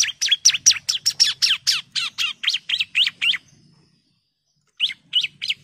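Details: Female orange-headed thrush calling to the male: a fast run of sharp, high chirps that slows and stops, then after a pause resumes with a few spaced notes.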